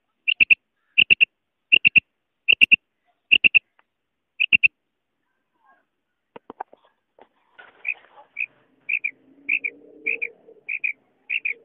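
A female quail gives sharp, high paired or tripled notes, repeated about every second, then slower single clipped notes over a faint low rumble.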